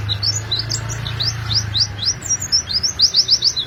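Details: Lively rolling song of an Oriental white-eye, kept to prompt other white-eyes to sing; fast high tweets streaming almost without a break, over a low steady hum.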